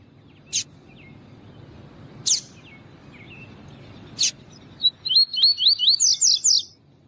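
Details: A double-collared seedeater (coleiro tui tui), a singer used to teach and warm up other seedeaters, sings a quick run of six or seven high, slurred whistles, each rising and falling, after a few sharp clicks.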